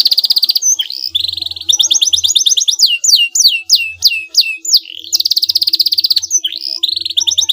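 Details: Canary song played to make a rival respond: rapid rattling trills open and close the phrase, with a middle run of loud descending whistled swoops repeated several times per second.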